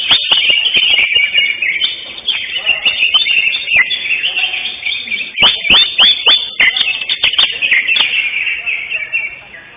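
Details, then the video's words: Greater green leafbird, caged, taking first place in a session 5 singing competition at Kopdar Mahesa Jenar on 11 October 2025; loud, tumbling, high chattering song without pause, with bursts of sharp clicking in the second half. "JUARA 1 CUCAK HIJAU JENAR"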